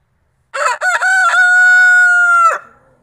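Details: A creole rooster sharing a farm pen with two other roosters, two barred and one white, gives a full crow: a few broken harsh syllables leading into a long level sustained tone, cut off sharply, with quiet background.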